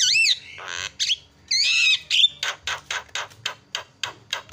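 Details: Javan myna lure recording meant to make other birds call: wavy whistled notes and a buzzy warble give way to a run of about a dozen harsh rasping chacks at roughly three per second.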